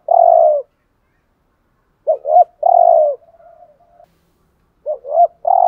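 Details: Decoy dove performing the thúc gù coo: a long soft coo, silence, then two short upturned notes and a drawn-out coo with a faint trailing hum, the same two-note-and-coo phrase repeating, in a quiet background.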